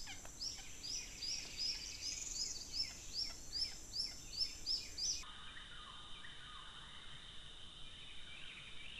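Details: Hawk at a nest feeding its chicks, the same hawk earlier seen attacking alligator hatchlings; high, thin downslurred notes repeated rapidly, roughly two or three a second, for about five seconds, then only a steady high hiss remains.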